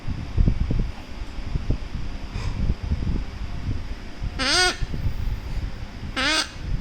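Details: A baby pet Severe macaw gives two nasal, wavering squawks about two seconds apart while cuddling, over steady rustling and handling noise.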